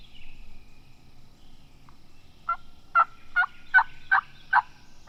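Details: Osceola wild turkey on Florida public land, on the opening morning of the 2020 spring season, as birds fly down from the roost, gives a quick run of five rough, throaty notes, about two and a half per second, over a faint low hum.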